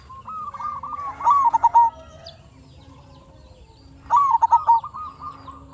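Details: Local zebra dove singing as a lure for other zebra doves; a run of short coos leads into a rapid bubbling trill, silence for about two seconds, then the phrase begins again.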